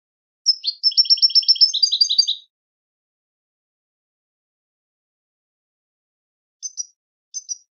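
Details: A goldfinch sings a rapid twittering phrase of repeated chirped notes for about two seconds, then is quiet, and ends with a few short, separate high calls.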